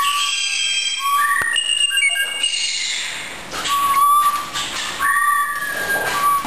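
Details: Blue jay kept as a research animal in a lab, whistling: after a short upward-stepping note come flat, level whistles repeated about once per second, mixed with faint rustling and background hiss.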